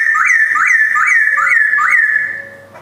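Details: Captive male white-cheeked Black-throated laughingthrush in a collection in Jogjakarta, 2021, singing a loud series of clear whistled notes, each sliding upward then falling, repeated about every 0.4 seconds and fading at the end.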